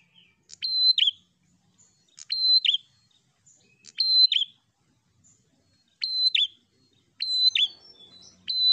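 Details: Prinia singing to provoke a rival bird: sharp high phrases, each a steady whistled note ending in a buzzy downward flick, repeated about every one to two seconds over a quiet background.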